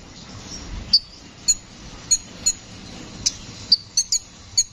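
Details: Brown-throated sunbird, known locally as kolibri ninja, in a rolling song. It is kept as a tutor recording for cage songbirds. Isolated thin, very high chirps are spaced about half a second apart over a quiet, hissy background.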